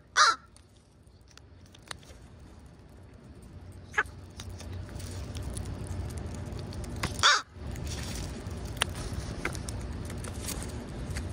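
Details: Pre-roost crows gathered in a schoolyard near sunset, following people in hope of food; two loud, harsh caws, one at the start and one about seven seconds later, with faint clicks and steady background hum between.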